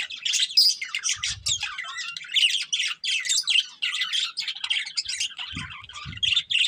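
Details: Loud chirping from a budgerigar breeding pair: steady rapid chatter of buzzy squawks and short whistles in quick bursts, with a few low bumps.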